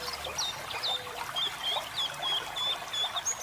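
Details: Training song of a white-eye over a flowing-water effect: a string of short, high, evenly spaced whistled notes, roughly three a second, with trickling water underneath.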